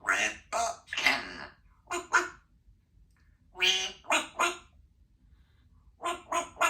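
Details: A chatty female Congo African grey parrot kept indoors in a country home with two other parrots and five cats. Bursts of hoarse, speech-like chatter in short clusters separated by pauses, some phrases quack-like and breathy.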